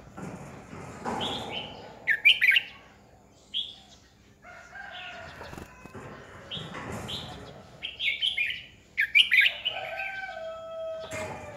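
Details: Red-whiskered bulbul decoy singing to provoke rivals, delivering several loud chirpy warbled phrases spread across the recording, with short pauses, a low drawn-out tone, and occasional clattering knocks.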